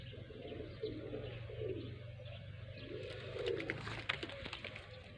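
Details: Pigeons (kabutar) in a village in Sindh, Pakistan, giving low, soft, rolling coos in repeated phrases, over a steady low hum and some background clatter.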